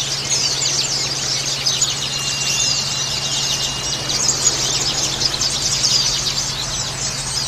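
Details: Busy white-eye chorus of shrill, overlapping twitters and quick slurred chirps, with a brief thin steady whistle in the middle, meant to prompt other white-eyes to sing; constant low hum in the background.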